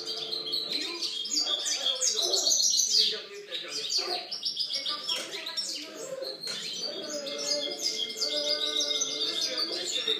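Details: A European goldfinch, recorded in 2013, sings a fast, bright twittering song of tinkling, liquid notes and buzzy trills, with a low murmur of what may be voices underneath.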